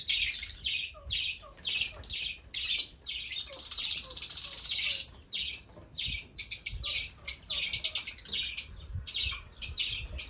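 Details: Fischer's lovebirds giving rapid shrill chirps and harsh buzzy squeaks, bursts coming in quick succession with brief gaps, busy high-pitched twittering throughout.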